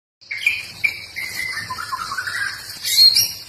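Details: Trotol singing actively, a series of clear whistled notes sliding downward from high to lower pitch, with a steady high thin tone running behind and a sharp bright burst near the end.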